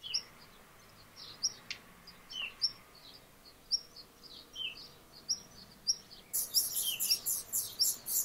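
A black redstart gives thin, high notes and short falling whistles about twice a second, then breaks into a dry, scratchy crackle.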